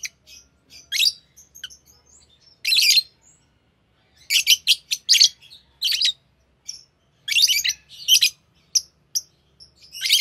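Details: Green Fischer's lovebirds singing as a pair; clusters of sharp, rasping chirps come in quick runs with pauses, some notes squeaky and piercing, over a faint low background hum.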